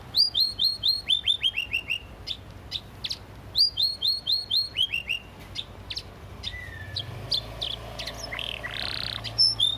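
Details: Canary song used as a master recording for training: bursts of fast repeated high downslurred notes, then scattered chips and a buzzy note near the end.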